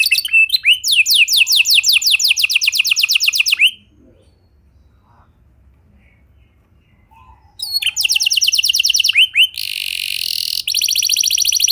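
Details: Canary song used to get other canaries singing: a long rolling trill of rapid repeated high notes, nearly four seconds of silence, then more trilled phrases ending in a buzzy, rattling stretch.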